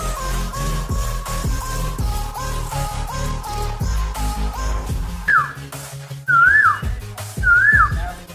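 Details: An Asian koel in Kankana Binodon Park, Gobardanga, North 24 Parganas, gives three loud whistled notes, each swinging up then down, about a second apart, with background music continuing underneath.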